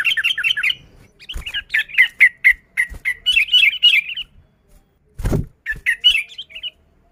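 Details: Sooty-headed bulbul song for attracting bulbuls: a quick string of chirps, then a lively series of repeated warbled notes, a sharp thump in the middle, and a final short warble.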